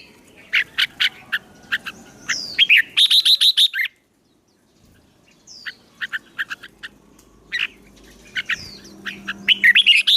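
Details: Songbird fighting song used for training, meant to fire up newly caught wild birds; bursts of sharp, high chirps and quick rising whistles, then about a second of silence before the chirping resumes in loose, uneven runs.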